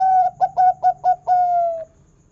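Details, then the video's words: Local zebra dove singing with a big 'kung' voice, played to prompt other zebra doves to sing: a long pure coo, four short clipped coos in quick succession, then a long drawn-out falling coo. "Masteran Perkutut Lokal Suara Kung Besar Pancingan Burung Perkutut Agar Gacor"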